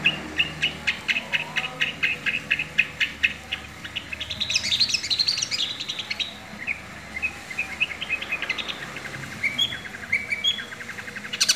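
A long-tailed shrike sings with copied collared kingfisher calls: a fast run of sharp, high chirps, about three a second, then a scratchy jumble and varied piping notes.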